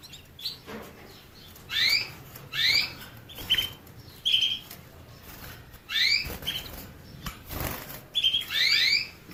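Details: Canary calling with a scattered series of sharp rising chirps, some doubled, mixed with short flat piping notes and faint clicks between them.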